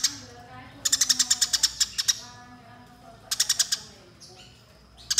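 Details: Eurasian tree sparrows fighting, a recording meant as training material for other songbirds: two bursts of rapid, harsh, evenly spaced chirps separated by quieter gaps, with a short final burst.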